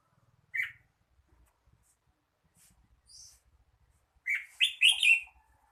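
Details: Red-whiskered bulbul: one chirped note, a pause with faint high notes, then a lively run of loud, rich warbled notes.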